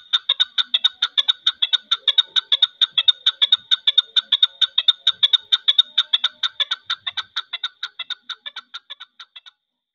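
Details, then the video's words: Long call of a captive chukar partridge, new and old birds kept together: rapid, evenly spaced, sharp chattering notes that carry on for about nine seconds before fading and stopping. "partridge New bird / old partridge sound / chakor ki ek lambi awaz"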